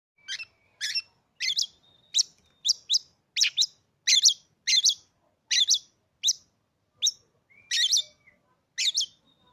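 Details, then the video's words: Caged Oriental magpie-robin, newly bought, that would not sing for its previous owner. Loud, harsh, sharp notes repeated about every half second, with a few thin level whistles in between. The background is quiet. "hanya hitungan detik kacer kamu pasti langsung gacor"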